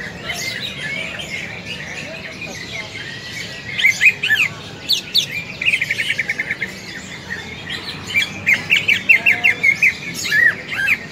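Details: Greater green leafbird fighting calls for training other leafbirds' fighting spirit: jumbled whistles and chirps building into fast rattling trills of evenly repeated notes, with a constant background hiss.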